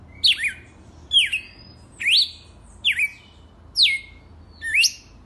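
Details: Red-cowled cardinal singing its 'selvagem raiz' wild-type song: six clear, loud phrases in five seconds, each a quick downward-sweeping whistle ending in a short rising flick, with faint low hum behind.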